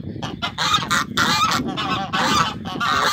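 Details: Guard geese of the African breed, a pair kept on a farm for security, honk in long, loud, rasping blasts almost without pause, over a low rumble of background noise.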